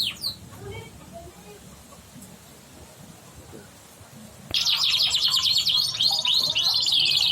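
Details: Yellow canary song used to prompt other birds to sing: after about four seconds of quiet room noise, a sudden bright burst of fast trills and rapid high chirps.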